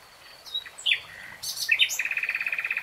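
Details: Common nightingale singing a few varied, sharp, slurred notes, then breaking into a quick, even rattle of repeated piping notes, about ten per second.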